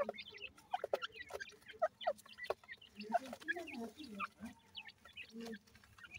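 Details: Partridge and pheasant babies at a desi feed call with thin, high, rising cheeps scattered through the moment, alongside sharp clicks and a few lower murmuring sounds.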